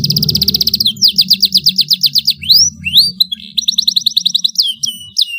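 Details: Domestic canary in full, loud song, kept as tutor material for young birds: a fast buzzy trill, then evenly spaced downslurred notes about six per second, rising swoops and another trill, over a low rumbling background hum.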